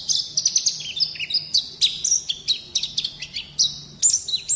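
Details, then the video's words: White-eye song played as training for young birds: fast, high chirps and trills interleaved with short sliding whistles, packed densely with hardly a gap. "Mancing Bunyi Pleci Bakalan"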